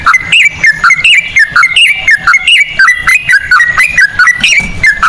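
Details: Trucukan, or yellow-vented bulbul, singing 'ropel' song in cucak rowo style as a lure for other birds: an unbroken flow of clear whistled notes that alternately rise and fall, about three each second, with a bubbly, rolling feel.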